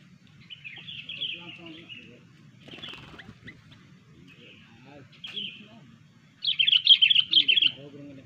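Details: Sooty-headed bulbul lure song used for bird trapping: scattered slurred chirping phrases, then a louder burst of rapid bubbly notes near the end, over a low rumbling background.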